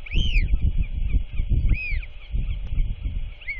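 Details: Royal albatross chick, chatty while its father feeds it just before dark on 27 March 2024, gives three loud arched squealing notes about 1.5 seconds apart over heavy wind.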